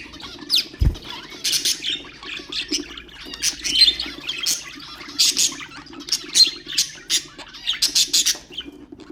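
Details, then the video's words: Singing budgerigars, pet birds, whose song stimulates other birds: quick chirping warble with loud squeaky bursts, plus a single low thump early on. "اقوى أصوات طيور البادجي طيور الزينة أصوات تحفيز الطيور"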